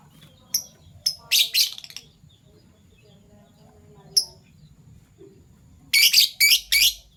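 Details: Fischer's lovebirds, PB Violet and Euwing Gold Opaline, in the morning: scattered piercing chirps and short buzzy chattering bursts, a long quiet stretch, then a cluster of three loud harsh bursts near the end.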